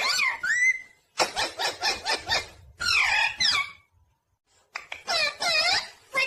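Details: Tame parrot talking: a squeaky rising whistle, then a quick run of five or six rasping, evenly spaced syllables, a wavering chattered phrase, a short pause and more scratchy, speech-like notes.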